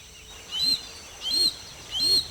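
A Harris's hawk gives three harsh, rasping high-pitched calls about every three-quarters of a second, over faint background hiss.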